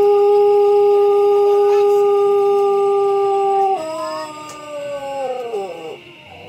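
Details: Pelung chicken crowing in a quiet setting: the end of a long, steady held note, which drops and trails off into a wavering, descending tail over the last two seconds.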